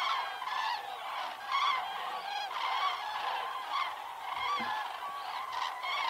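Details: Common cranes at a migratory stopover on the Hortobágy steppe, Hungary (September–November, up to 160,000 birds), flocks flying in at evening from feeding sites to night roosts: a large flock calling together, loud rolling trumpet-like notes in a continuous clamorous chorus.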